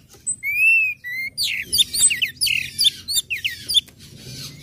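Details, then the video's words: Orange-headed thrush song in ngecip, ngecit and ngeplong styles, played to spur other birds to join in; opens with a long, clear, high whistle and a shorter one, then rapid bright downslurred notes in quick phrases. "SUARA ANIS MERAH NGECIP NGECIT NGEPLONG PEMANCING BIRAHI AGAR IKUT BUNYI"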